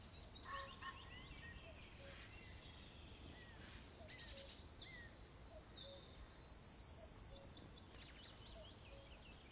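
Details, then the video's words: Morning birdsong in a foggy forest in California, USA: high thin whistles, a very high buzzy trill repeated about every three seconds, soft chirps and a low faint note, over steady background hiss. "Morning Birds Singing"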